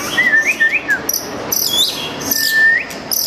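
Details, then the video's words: White-rumped shama, curved tail, calling out a rival with its song: wavering slurred whistles that rise and drop, a few high sharp notes, then a long even whistle flicking upward at the end. "Murai batu ekor lengkung muntah materi panggil lawan"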